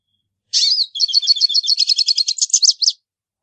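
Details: Hooded siskin singing one high, fast phrase of about two and a half seconds, starting with a buzzy note and running into a rapid series of sharp repeated chirps, on a silent background.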